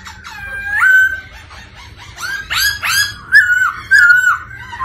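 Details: Black-throated laughingthrush song and display, stimulated by female 'ro ro' calling: mellow rising whistles, sharp upswept notes, and slurred, warbling phrases that repeat near the end.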